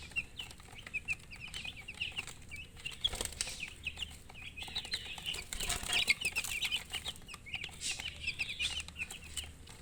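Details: Chirping baby chicks, high peeps running throughout, partly covered by rustling and flapping noises around the middle.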